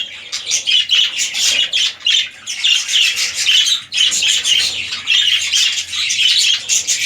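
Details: Red-eyed lutino budgerigars, a breeding pair of a king-size male and an undersized female, give continuous scratchy, high chirping chatter in rapid overlapping bursts, with only a brief lull near the middle.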